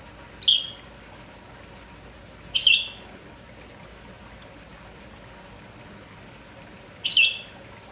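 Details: Red-whiskered bulbul, lively in the morning, giving three short, bright, downward-slurred chirps, spaced about two and four seconds apart, over a steady hiss of background noise.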